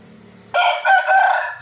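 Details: Close white rooster crowing loudly, opening with a strong rough syllable, then breaking into a longer wavering note, over faint low background noise at the start.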